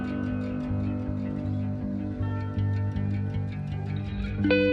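Plucked guitar music with a steady bass line and no animal sounds.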